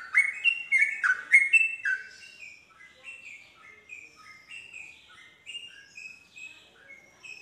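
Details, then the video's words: Yellow-vented bulbul used to trigger song in other bulbuls: a loud burst of chattering warbles opens, then softer, more distant whistled phrases continue, rising and falling at a steady pace. "respon cepat untuk Trucuk bahan macet langsung terpancing nyaut ikut nropel"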